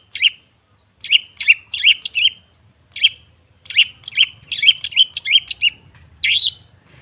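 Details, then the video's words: Long-tailed shrike, its song used to prompt silent birds to sing: short separate bursts of rough, downslurred chattering notes, several closely spaced, with brief silences between groups. "Suara TERAPI pancingan cendet /pentet macet total , di jamin buka paruh"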